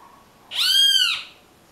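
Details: Great kiskadee (Pitangus sulphuratus), a tyrant flycatcher, giving a single loud, rich, harmonic call note lasting under a second, arching slightly up and then down, over quiet background.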